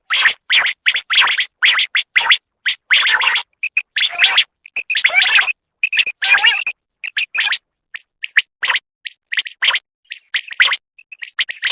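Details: Female common quail call used for hunting quail in Khyber Pakhtunkhwa: dense, rapid chirps and rough, buzzy notes that thin out into scattered short chirps.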